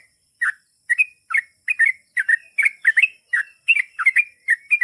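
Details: Sooty-headed bulbul delivering a lively run of short warbled phrases, each of a few rapid bubbly notes, coming about twice per second.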